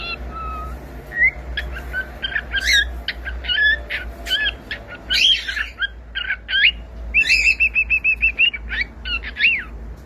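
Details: Cockatiel song made of many quick, sharp chirps and short whistles, delivered in fast bursts, some becoming rapid trills, over a low steady hum.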